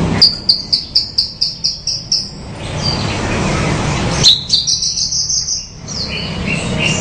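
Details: Bushlark singing: two runs of rapid high chirps, each about eight notes that drop slightly in pitch, separated by a pause and followed by a short slurred note.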